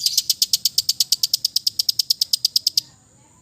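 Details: Long-tailed shrike of the East Java type, relaxed song played as therapy for silent birds: a steady, high, rapid series of about twenty-five sharp ticks, evenly spaced, then sudden quiet.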